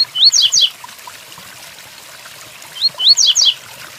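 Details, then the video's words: Double-collared seedeater singing the Tui Tuí style of song over steady rain: two rising whistled notes, then a quick burst of descending buzzy slurred notes, with the phrase repeated after a pause of about two and a half seconds. "Tui Tuí Fibra pelo coleiro Capricho com som de chuva"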